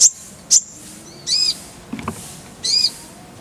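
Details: Van Hasselt's sunbird (kolibri ninja) tutor recording with clear voice: sharp, very high piercing chirps and buzzy, harmonic squeaky notes at intervals, plus a faint low knock near the middle.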